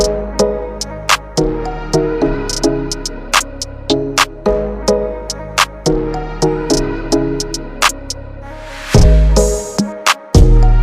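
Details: Electronic music with a steady drum-machine beat and synthesizer chords, with no animal sounds heard.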